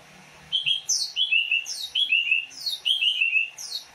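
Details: Greater green leafbird of the Banyuwangi type, locally called cucak ijo, singing its characteristic song: rapid repeated phrases of a high descending note followed by slurred whistles, each phrase about a second apart, clear and close.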